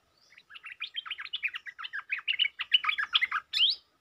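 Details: Stripe-throated bulbul lure sound from a provoked territorial resident bird, 'sap rik' style: a continuous four-second run of rapid, chattering, tumbling notes ending in a louder, upslurred phrase.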